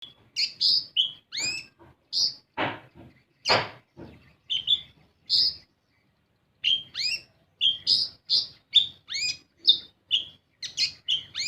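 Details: Sunbird (kolibri ninja) song played as a lure to get young birds to sing. Bright, sharp chirps and upswept whistled notes come in quick clusters, with two louder, noisier bursts near the start and a short pause midway.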